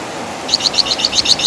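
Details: Javan fulvetta, wergan jawa of West Java, in a training song: after a quiet start, a quick run of about eight clear high chirps.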